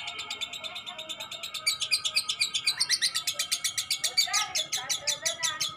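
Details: Young lovebird in full long ngekek chatter: after soft scattered chirps, a rapid run of harsh, high, buzzy notes starts and continues to the end at about six per second, steady and unbroken, over a faint low background hum.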